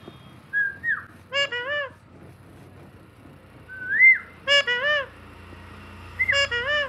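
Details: Pet green parrot talking: short whistled notes near two kilohertz alternate with harmonic, speech-like syllables in bursts of two or three, repeated three times over about seven seconds in a quiet room.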